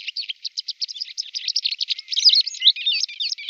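A White Wagtail twitters in a quick, unbroken run of high, sharp chirps, about eight a second, growing busier and more varied toward the end.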